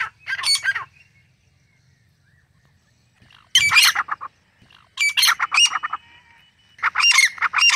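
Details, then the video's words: Grey francolin, the teetar: three separate bursts of harsh, squawking notes with long quiet pauses between them, each burst a rapid run of grating syllables. "Top 15 Different Voices Of Grey Francolin - Teetar Sounds"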